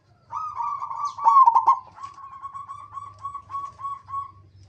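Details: Local zebra dove singing a lure song meant to set other zebra doves singing: a loud burst of stuttering coos, then a long string of soft, evenly pulsed purring notes at one steady pitch, over a faint low hum.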